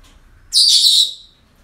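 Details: One loud, drawn-out, harsh high screech lasting about half a second, from parrots kept at a breeding centre on an ordinary day, with a quiet background.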